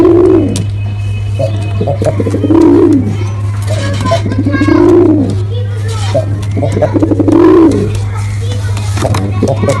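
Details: Performing male pigeon repeats low, rounded coos about every two and a half seconds, each arching up and down, while a steady electrical-sounding hum runs underneath.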